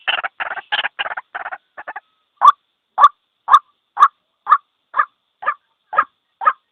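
A white-breasted waterhen opens with a burst of rapid, harsh grunting notes, then settles into loud, croaking 'kwaak' calls repeated about twice a second.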